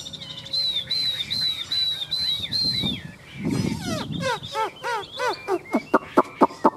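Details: Caged Chinese hwamei, yellow-legged and newly moulted, singing outdoors under a peach tree: a clear whistled phrase repeated five times, then a burst of steep down-sweeping notes that quicken into sharp, evenly spaced chips.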